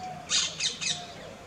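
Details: Asian koel courting a mate, recorded in Jaipur, Rajasthan, India: three short, harsh, high squawks in rapid series, the first loudest, over a low background hum.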